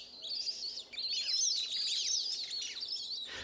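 A flock of Plumed Whistling Ducks gives a dense, overlapping chorus of high, thin, twittering whistles, many short notes rising and falling for about three seconds.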